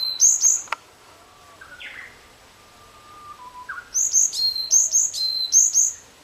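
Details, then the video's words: A varied tit gives bursts of thin, high chirping notes, a quick cluster at the start and a longer run of repeated chirps at the end, with faint softer calls between. "ヤマガラ 囀り ヤマガラの鳴き声 Varied tit chirping"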